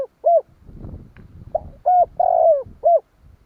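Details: Spotted dove cooing to provoke other doves, low hollow coos with a longer drawn-out middle note, several notes over a few seconds, with faint low rumbling noise between.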